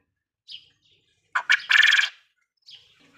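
A quail gives a sharp three-part call, two quick clipped notes and then a harsh burry one, between soft high chirps. Nothing else is heard.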